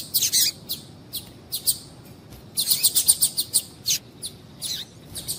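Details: High, sharp chirps from a female double-collared seedeater, a call meant to excite males into song. Notes come in clusters, with a quick rattling series in the middle and scattered single tweets before and after.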